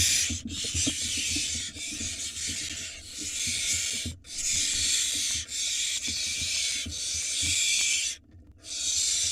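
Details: Barn owl nestlings in a nest box in Israel, live camera, begging wildly when the father arrives with food: long broad rasping hisses, each about one to two seconds, running almost without pause, with light scuffing below.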